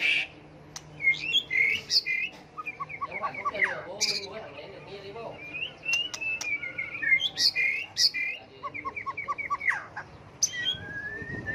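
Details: Long many-voiced song of a white-rumped shama, switching phrases continually to set off singing contests: trilled runs, repeated short notes, whistles and chirps, with a faint low hum behind.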